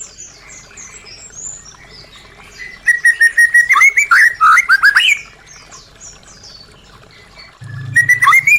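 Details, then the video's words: White-rumped shama singing to prompt silent caged birds: a fast run of sharp whistled and rolling notes lasting about two seconds, quiet high twitters before, and a fresh rising phrase at the end. "Pancingan murai batu macet bunyi | Suara asli murai batu"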